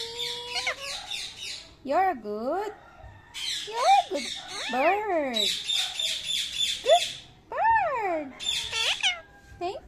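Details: Indian ringneck parakeet, a pet, says thank you: short scratchy high-pitched bursts, several in a row, trading with a person's bouncing, rising-falling words and light background music.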